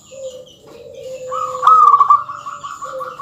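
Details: Zebra dove of local stock singing to provoke rivals: a sustained rolling trill rising into a brighter stuttered section, with a lower steady whistled tone underneath from a second source.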